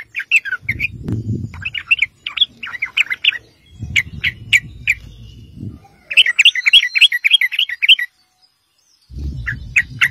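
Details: Lively sooty-headed bulbul song played as a lure so other bulbuls reply: bursts of quick bubbly chirps and fast rattling runs of repeated notes, separated by pauses, over intermittent low rumbling handling noise.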